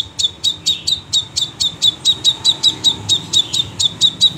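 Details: Crimson sunbird, a lively singing bird, giving a rapid series of sharp high ticking notes, about four to five per second, evenly repeated throughout with faint low background hum.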